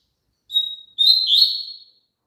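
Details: Double-collared seedeater song used to get a caged bird singing along. A clear whistled note, a short pause, then a slurred, buzzy rising and falling phrase that fades out.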